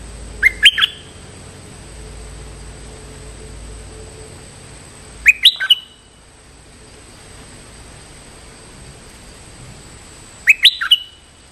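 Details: Stripe-throated bulbul lure call to provoke a territorial resident bird: three short, sharp, bubbly phrases spaced about five seconds apart, with steady faint background hiss between them.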